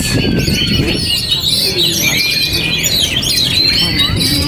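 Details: An oriental magpie-robin owned as a pet sings despite strong wind: sustained high whistles with looping, wavering phrases and short chips, layered over heavy wind noise.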